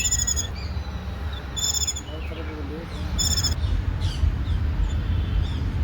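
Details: Indian white-eyes, adults with chicks, give short bright buzzy bursts of stacked high notes three times over six seconds, with faint twittering between them over a steady low rumble of background noise.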